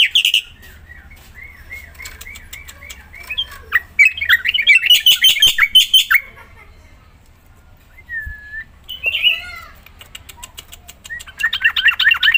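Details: Energetic Black-winged myna song for encouraging other mynas to sing: a string of wavering whistles, then loud rapid chatter, a lone whistle, and more buzzy repeated notes at the close.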